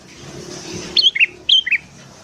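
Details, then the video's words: ['Sooty-headed bulbul singing in the morning, used as a lure for wild birds: two brisk phrases of bright whistles sliding downward, each a pair of notes.'] "BURUNG KUTILANG GACOR DI PAGI HARI"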